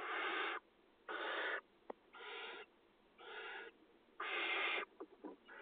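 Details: Barn owl nestlings in a farmland nest box, Israel, 2020, begging during feeding; a run of five breathy screeching hisses at uneven intervals, with brief clicks and scraping between them.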